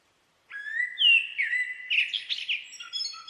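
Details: After a short silence, a common blackbird gives a rich whistled phrase with a rising start, sliding notes, and a scratchy high twitter at the end, against a clean, quiet background.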